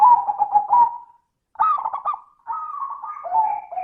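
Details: Zebra dove singing to coax other doves into song: dense, pulsed cooing, then a pause, then a run of overlapping warbled coos ending in a long, level tone.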